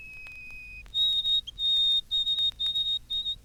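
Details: High-pitched whistled song of a White-throated Sparrow from a 1954 Cornell University recording. One clear sustained note leads up to a higher long whistle, then four or five short repeated notes on the same pitch. The background is quiet.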